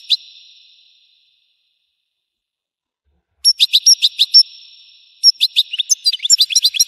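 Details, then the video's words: A European goldfinch sings bright, liquid twittering phrases of quick high notes in two bursts, separated by a pause of silence; nothing else is heard. "تغريد الحسون"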